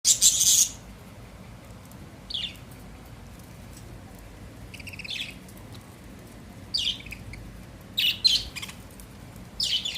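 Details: Pet budgerigars eating soft food give short, scratchy chirps in scattered bursts, with quiet gaps between calls.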